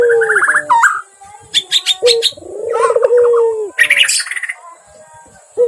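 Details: White-rumped shama in full, agitated song: loud, varied whistled phrases mixing low pure notes, rising and falling slurs and sharp high chattering bursts, with short pauses between phrases.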